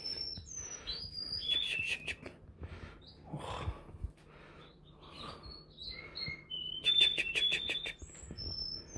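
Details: Canary (Serinus canaria) from Bukhara singing bright whistled notes and rapid trills, some tones held steady and others sliding, in two busy bursts with quieter gaps between.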